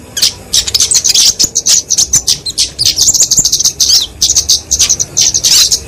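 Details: Kemade flowerpecker, genus Dicaeum, giving its fighting song, a song used for training and luring small songbirds; a long run of sharp, very high clicks and sizzling trills, nearly continuous with short gaps.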